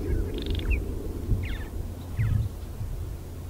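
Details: Purple martins singing on the Fraser River at Iona Beach, Richmond, BC, Canada, 5 August 2018: three short, liquid gurgling bursts about a second apart, over a steady low rumble of wind or distant traffic.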